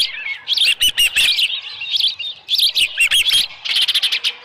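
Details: Osprey at the Dunrovin Ranch nest on a 2018 July morning with a headless fish. Whistled chirps wavering up and down come in short clusters, ending with a rapid pulsing series.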